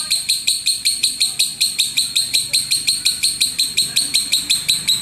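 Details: Lovebird ngekek sound used for training birds for singing contests: a long, steady trill of harsh, buzzy, high notes repeated about three times a second, very even in rhythm, with faint low background noise.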